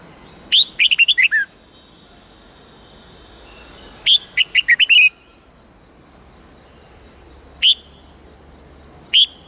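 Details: Red-whiskered bulbul with an 8-9-10 note wild-standard song used to teach young birds: two lively phrases of about seven whistled notes each, then two isolated single whistles a couple of seconds apart.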